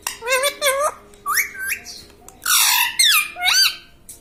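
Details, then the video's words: Talking pet parrot indoors, known for repeating "mitthu" and "mummy", produces a rapid series of six or so nasal word-like syllables, some rising sharply, one harsh and noisy in the middle. "Talking parrot - Mitthu mitthu - Mummy Bolne Wala Tota"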